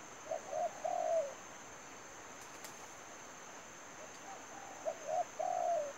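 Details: Decoy spotted dove from a trapping session cooing in two phrases, each a few short hollow notes run into a longer falling coo, with a pause between them and a constant thin high whine behind.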